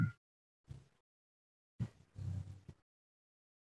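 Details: Short muffled low bursts, like brief speech or handling noises, separated by silence, with no animal calls.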